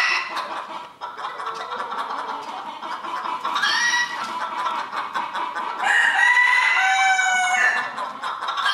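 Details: Competition rooster at the 2022 Villers-la-Ville crowing contest. Two drawn-out crows, a rising one near the middle and a longer, brighter one later, stand out above constant clucking and crowd noise.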